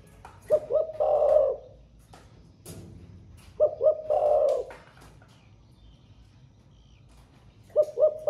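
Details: Spotted dove kept in a cage, singing its thổ pha style song all day. Low cooing phrases recur about every three seconds, each two quick notes and a long vibrating coo, with a sharp tap between them.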